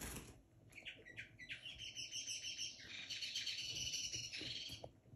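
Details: Caged linnet hybrid, a young bird beginning to sing in 2022, giving a fast twittering warble of chirps and buzzy trills that builds into a dense run, with faint wing flutters and room noise.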